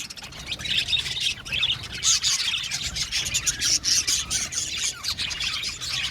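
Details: Budgerigars calling in an aviary: a busy mix of high chirps, squeaky notes and scratchy warbles from several birds, steady throughout.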